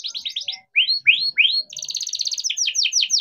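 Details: Young captive-bred canary singing energetically, a lure for young or stalled canaries learning to sing: quick descending chirps, three rising swept whistles, then a long dense rolling trill and repeated down-slurred notes.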